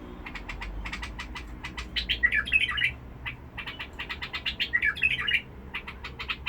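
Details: Bulbul from Basra singing a full song in the harsh-toned Badrawi style: two bursts of rich, gurgling warbled phrases, each lasting under a second, set among steady dry clicking ticks and low background hum.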